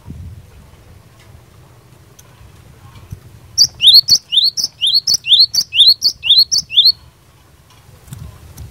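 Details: Java sparrow song used to make other Java sparrows answer: a three-second string of about a dozen crisp chirps and rising whistled slurs at a steady pace, preceded and followed by quiet low rumble.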